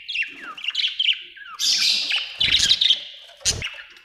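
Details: Budgies chirping: thin falling whistles and rapid chattering warble, broken by a couple of short sharp clicks or taps.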